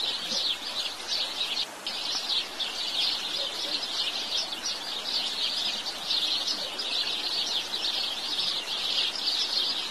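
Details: Steady chorus of house sparrow chirps, a thick run of short high notes with a brief dip near the start, faint background noise.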